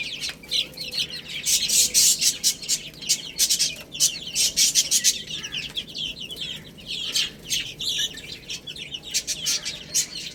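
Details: Chicks eating spinach, giving many short high downward chirps over dense bursts of sharp broadband clicking and rustling from feeding.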